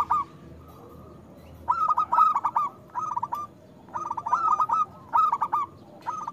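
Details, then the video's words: Local zebra dove singing loudly, used as a lure to prompt reluctant doves to sing: bursts of quick, rolling cooed notes with bubbling trills, about five phrases of under a second each, separated by short pauses over a faint low hum. "Perkutut lokal gacor Suara Besar Pancingan Untuk Perkutut Susah Bunyi"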